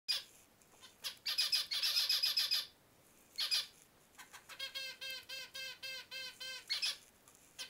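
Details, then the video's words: A male zebra finch gives bursts of harsh, buzzy rasps, then a quick run of about a dozen nasal, toy-trumpet notes, ending on one more rasp. "giving it his best chirp"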